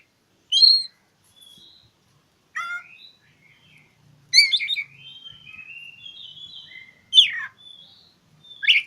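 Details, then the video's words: Oriental magpie-robin song meant to lure silent birds into singing, as if seeking a rival: loud harsh chattering notes, quiet rising whistles, and sharp downslurred calls, with a faint low hum behind. "Kicau KACER cari LAWAN"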